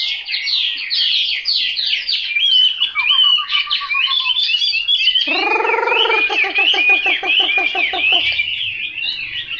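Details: Chinese hwamei singing a loud, varied run of fast whistled and slurred phrases, then a stretch of lower, rich repeated notes in a quick series before returning to high warbling.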